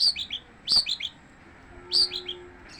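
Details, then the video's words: Long-tailed shrike, locally called cendet, giving bright descending triplets of high chirps, each cluster of three quick notes repeated about every second, over a faint low steady hum. "kicauan cendet tanpa jeda"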